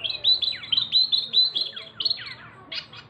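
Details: Local Javan mini wambi, a male, gives loud high whistled notes in quick pairs, each falling sharply, followed by a brief rough burst.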